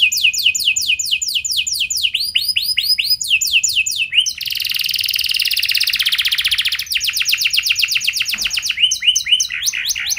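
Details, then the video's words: Canary singing a long-phrased lure song: repeated sweeping trills, a harsh dense buzzing section, then more fast trilled rolls and chirps. "Pasti Nyaut Gacor Do00r Dengan Pancingan Kenari Cengkok Mewah Nembak Panjang Ini"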